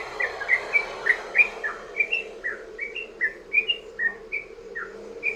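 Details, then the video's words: Sooty-headed bulbul in long rapid song, meant to draw other bulbuls into singing: a steady sequence of short warbled notes, about three per second, each gently rising or falling. "trucukan ROPEL PANJANG buat pancingan burung trucukan agar bunyi"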